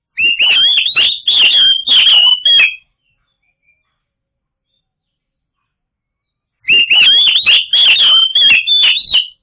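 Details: White-rumped shama lure song for prompting silent birds to sing: two loud bursts of rapid whistled and chattering phrases, each about two and a half seconds long, separated by roughly four seconds of silence.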